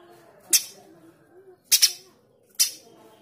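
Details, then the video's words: A male streaked spiderhunter gives three sharp, explosive, harsh chips, single and doubled, about a second apart, over a quiet, faintly humming background. "Pijantung gunung jantan gacor tembakan kasar"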